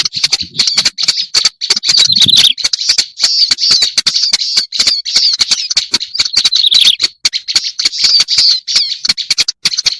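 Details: Bird-lure recording of a black-browed reed warbler giving a long, steady run of harsh scratchy chatter and dry clicking ticks, interrupted by occasional higher squeaky slurred notes and short gaps.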